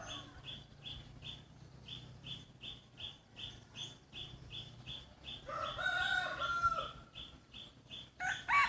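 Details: Free-range Hmong chickens raised naturally by a neighbour; a drawn-out harmonic rooster-like call rises midway and a loud burst follows at the end, over a steady rapid chirping repeated about three times per second throughout.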